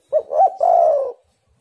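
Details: A single spotted dove (tekukur) lure phrase used to encourage doves to call: a short hoot, a higher bent note, then a sustained coo that slowly drops in pitch.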